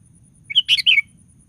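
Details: Sooty-headed bulbul singing one quick, liquid, gurgling phrase of a few notes with a rough middle burst, a bird offered as a lure to get other bulbuls singing.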